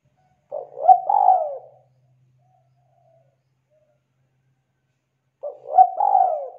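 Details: Frequently singing spotted dove (tekukur), used as a lure to set silent birds singing, repeats its low cooing phrase twice about five seconds apart; each phrase is a short coo followed by a longer rolling, falling note.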